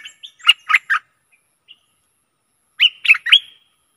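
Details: Stripe-throated bulbul singing as a decoy for aggressive wild birds: two short bursts of three or four loud, liquid bubbling notes separated by near silence.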